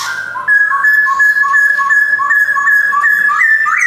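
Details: Male white-cheeked Black-throated laughingthrush in Yogyakarta, 2021, caged, pours out a fast run of whistles flicking between a high and a lower pitch several times per second, ending on a rising note.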